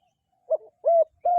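A dove gives three soft, hollow, low coos: a short first note, then two longer, even ones, spaced about a third of a second apart.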